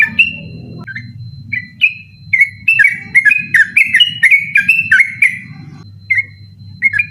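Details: Yellow-vented bulbul singing at night in a rapid, insistent ropel style, used as a tutor recording for contest birds: bright chirpy whistled notes speeding into a fast burst of repeated phrases, over a steady low hum.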